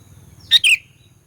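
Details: A single brief phrase from a sooty-headed bulbul used to stir rival birds: a clipped high note followed by a slurred descending whistle that fades out, with a faint hum underneath.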